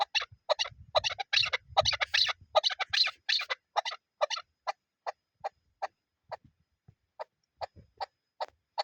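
A chukar partridge gives a rapid burst of harsh clucking notes that slows into single sharp chuk calls, spaced about half a second apart.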